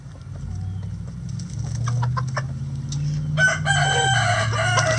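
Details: Domestic chickens in a coop at morning feeding time, giving short clucks and squawks over a steady low rumble, with a burst of louder, harsher calls near the end.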